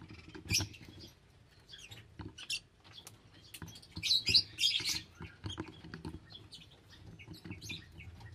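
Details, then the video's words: Several lovebirds chattering with short, high, scratchy chirps and squeaks, a dense run of harsh calls in the middle, over a steady low rumble. "Love Birds Nature Sound"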